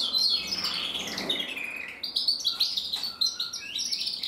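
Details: Red mosaic agate canary cock, male, from a canary breeding in Germany, delivering fast twittering song with a descending whistled slide, then rapid chopped high trills and repeated buzzy notes; quiet indoor background.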